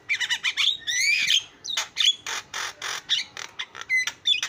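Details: Javan myna (jalak kebo) in lively song meant to prompt other mynas to sing: a dense run of harsh squawks and raspy bursts broken by brief whistled slides and clicks.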